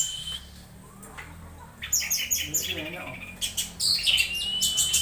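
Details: Orange-headed thrush starting after a near-silent opening with a burst of high, rapid chirps and squeaky twitters, then a long sharp whistle, over steady low-frequency hum.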